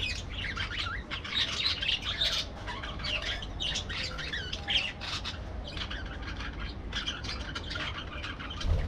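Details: Aviary parakeets calling together, a steady stream of sharp, scratchy chirps and short squawks packed closely over nine seconds, with a faint low rumble underneath.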